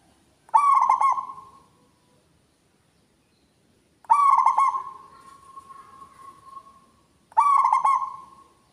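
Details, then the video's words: A local zebra dove in active song, with a big voice that rings out far. Three phrases come about every three to four seconds, each rapid pulsed cooing followed by a long fading tone. The middle phrase has an especially drawn-out tail. "PERKUTUT LOKAL GACOR, SUARA BESAR NYARING SAMPAI KEMANA2"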